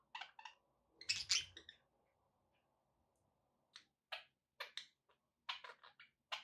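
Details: Pet budgerigars indoors giving short scratchy chirps and squawks in broken bursts, a loud cluster near the start then scattered single notes after a quiet gap, with a faint steady hum in the room.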